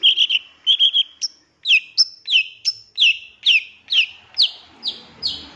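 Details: Long-tailed shrike master song with 'tembakan' fills, used to provoke other birds: quick clusters of chirps, then a regular series of about eleven sharp, downslurred whistles, each dropping steeply in pitch.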